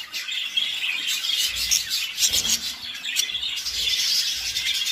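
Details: Budgerigar; warbling chatter; courtship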